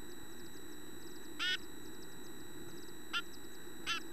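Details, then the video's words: Chickadees at feeding time, with adults feeding young and teaching them chickadee vocabulary. Three short, harsh, nasal buzzy notes sound, spaced irregularly over four seconds, with faint high chips and a steady low rumble behind. "Chickadee Feeding Time"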